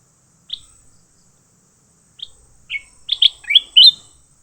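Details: Fighting leafbird gives two isolated bright chirps, then a fast, rising run of harsh, overlapping chirp notes that grow louder toward the end, with nothing else audible.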